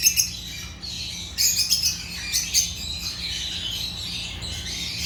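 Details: African lovebirds of the genus Agapornis chirping: a flock of high, squeaky chatter with scattered sharp peaks over a steady background hiss and hum.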